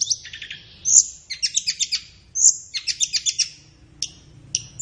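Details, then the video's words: Flowerpecker master song for training kept birds in the morning or afternoon: a shrill high whistle followed by a rapid rattling series of chips, repeated twice, then scattered sharp ticks. "SUARA BURUNG - Masteran Terbaik Tledekan"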